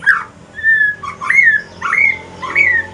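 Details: Evening song of a male white-rumped shama from Aceh, shifting into the pastol style: clear whistled notes, a long level whistle, then upslurred whistles rising and falling, roughly one or two phrases per second, over a faint low hum.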